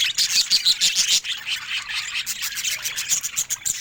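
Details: Pet budgerigar, described as looking happy today, giving a dense, continuous high-pitched warbling chatter of fast twittering notes with rapid scratchy trills.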